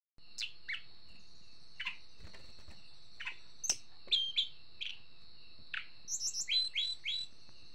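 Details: Blood-breasted flowerpecker, described as agitated: scattered sharp, high ticking notes at uneven intervals, then a quicker cluster of short chips near the end, over a steady high-pitched tonal hum.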